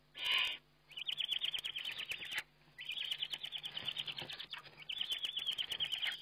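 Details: Eurasian eagle-owl filmed by webcam while feeding on 29 May 2011: one short harsh squeal, then three long bouts of rapid high chittering notes separated by short pauses, with a faint low hum underneath.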